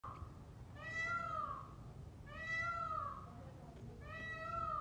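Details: White peacock giving three loud, nasal, wailing calls about every one and a half seconds, each a drawn-out bright note sliding slightly downward, over a low steady background hum.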